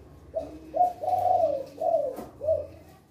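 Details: Loud-voiced male spotted dove singing in the 'kuk 2' style: one full phrase of rounded coos, a short note, a long drawn coo, then two falling coos spaced about half a second apart, with room echo and low hum.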